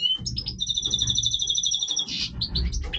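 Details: Caged-style Major goldfinch (Stieglitz Major) in breeding voice, singing: a high, bright twittering song with a rapid, evenly repeated trilled run of sharp notes lasting nearly two seconds, then a burst and varied chirps, over a low background rumble.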